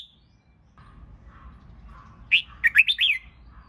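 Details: Red-whiskered bulbul being trained to sing for contests: after a quiet start with soft murmuring chatter, a quick loud phrase of five slurred, rising and falling notes bursts out.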